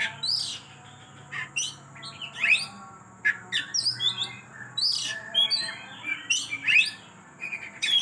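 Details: Oriental magpie-robin delivering its repertoire in convulsive 'kejang' style, with rapid sequences of sharp whistles, harsh squawks and high chips in lively bursts over a continuous faint hum.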